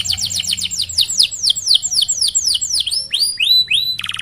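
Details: Canary singing a long rolling phrase, played to get other canaries singing: fast repeated downward-sweeping whistles that gradually slow and lengthen into clear slurred notes, finishing with a short buzzy burst.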